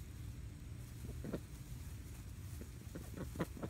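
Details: Several Welsh Harlequin ducks give short, raspy quacks and clucks in scattered bursts over a low background rumble. They are reacting to a turtle, the first they have ever seen.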